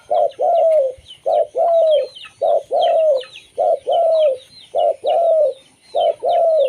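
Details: Zebra dove from local stock, its song used to lure wild zebra doves: evenly spaced double coos, short then long and sliding down, backed by a chorus of thin high bird chirps.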